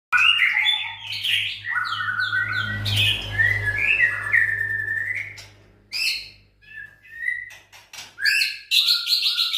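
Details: White-rumped shama, a contest bird, at a breeding farm in Sragen, giving rich whistled phrases, slurred rising and falling notes and sharp clicks, with a low steady hum underneath.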